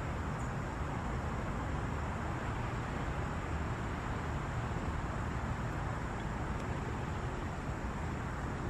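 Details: Constant low hiss and distant traffic-like rumble, without any bird or other animal sound.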